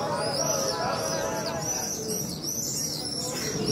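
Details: Swifts screaming over the Western Wall, Jerusalem, 12 May 2021: many thin, shrill, buzzy calls overlap in a near-continuous chorus over a low murmur of crowd voices.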